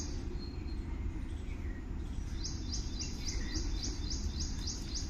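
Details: Birds chirping in the morning in nature: after a quiet start, a quick run of high, sharp repeated chirps begins, with a faint lower call, over a continuous low-pitched environmental hum.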